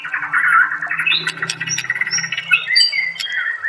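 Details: White-rumped shama (murai batu) masteran song: dense warbling whistles with scratchy high notes over a steady low hum in the background.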